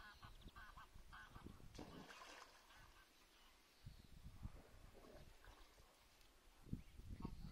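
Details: Greylag geese guarding recently hatched goslings at Lake Neusiedl give short, nasal honking calls in loose bursts, with faint thin gosling peeps, over a steady low rumble of wind and water.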